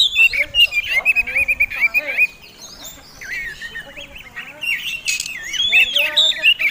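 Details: Oriental magpie-robin in fighting song that provokes other birds: a run of quick wavering whistles, a brief pause, then rolling slurred whistles and a harsh buzzy burst.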